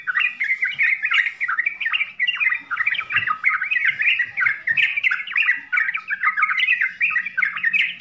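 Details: Yellow-vented bulbul in full varied song for beginner training: fast repeated bubbly phrases in bursts with brief dips between them, about eight seconds, a few soft low knocks in the background.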